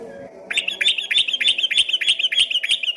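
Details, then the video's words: Rapid 'ropel' song of an actively singing yellow-vented bulbul, once taken for a straw-headed bulbul at a distance; after a soft start, a quick run of bright repeated chirps, steady and insistent. "dari kejauhan di sangka suara burung CUCAK ROWO setelah dihampiri ternyata cuma TRUCUKAN ROPEL GACOR"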